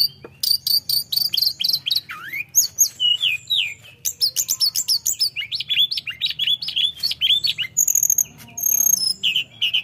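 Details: Energetic flowerpecker song aimed at provoking a rival: a dense, nonstop stream of rapid high chirps, trills and twisting whistled notes, with a few lower swooping slurs and a steady rhythm of sharp ticks.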